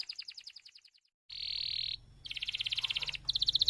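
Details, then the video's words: Active canary singing a long tutor song for other canaries: a fading trill, a brief silence, a loud steady buzzing roll, then quick pulsed trills, with a faint low hum in the background. "MASTERAN suara BURUNG KENARI GACOR PANJANG || COCOK untuk PANCINGAN KENARI lain"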